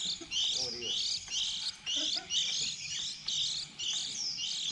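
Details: Newly fledged white-eyes, early season 2020, kept as a trap lure: high, rippling twitter bursts about once a second, separated by short silences, with a man talking faintly nearby.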